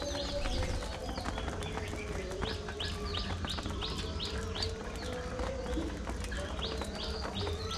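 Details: Caged budgerigars giving a busy chorus of bright, clipped chirps and rising squeaks, often in quick runs, with a constant low droning hum and faint clicks underneath.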